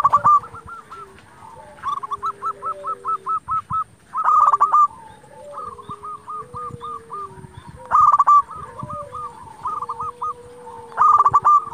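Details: Energetic local zebra dove song meant to stir rivals and lure doves: rows of quick, soft, hooked coos repeated in runs of about ten notes, with louder bursts roughly every four seconds and other doves cooing underneath.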